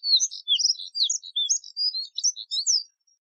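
Moussier's redstart sings a rapid, scratchy warble of high, thin notes, a three-second jumble of squeaky twitters and short whistles with no other sounds.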